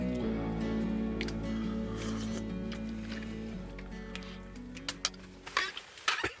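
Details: Soft sustained music fades out during a winter camping trip in a northern forest, followed by a few sharp crunching, squishing thumps near the end.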